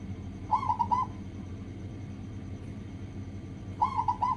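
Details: Zebra dove of a local type used as a singing lure: two short runs of four rapid, rolling coos, fairly soft and set against a noisy, humming background.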